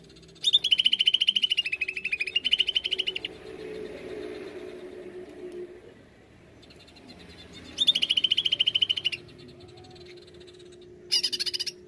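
A greater green leafbird gives loud bursts of rapid, rattling high notes lasting one to three seconds, with pauses and a low steady hum behind.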